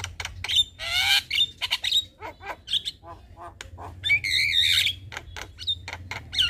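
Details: Javan myna singing in the evening, recorded as a training song for young birds: a varied, chattering stream of harsh squawks, clicks and sharp whistled notes with rising and falling slurs, with a steady low hum underneath.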